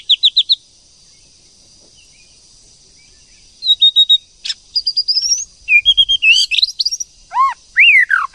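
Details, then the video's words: A female White-rumped shama, used to provoke males into singing, gives a quick run of four high chirps, then after a pause varied whistles, slurred notes and sharp rising and falling sweeps. "TIẾNG CHOÈ LỬA MÁI TRỐNG/CHOÈ LỬA MÁI TẠC KÍCH TRỐNG/murai betina fighter"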